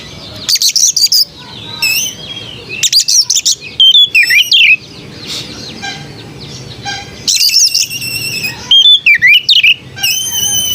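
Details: {'caption': 'White-rumped shama song repeated in phrases: fast bursts of high chattering notes, swooping slurred whistles and sustained tones, separated by quieter gaps with faint background noise.'}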